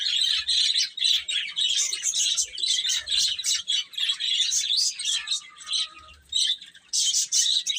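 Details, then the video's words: Many chicks peep while feeding and playing, with rapid, shrill, overlapping chirps and faint low thumps underneath. "Cute Chicks Eating and Playing | Baby Chicken Chirping Sounds"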